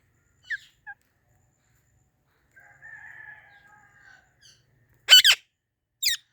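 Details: Ringneck parrot giving a few soft clicks and a drawn-out, wavering mid-pitched note, then two loud, piercing screeches in quick succession and a shorter final shriek, all in quiet surroundings.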